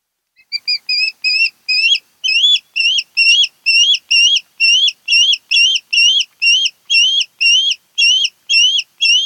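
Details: Osprey at its nest on Kent Island, Maryland, 10 August 2018, calling in a long insistent run of about twenty high whistled yelps, two per second, each rising then dropping, starting softer and quickly reaching full strength.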